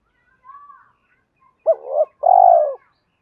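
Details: Caged decoy spotted dove calling to lure wild doves in the two-ending 'hai hậu ròng' style: a short hooked coo, then a longer, steady, throaty low coo, preceded by faint thin high notes.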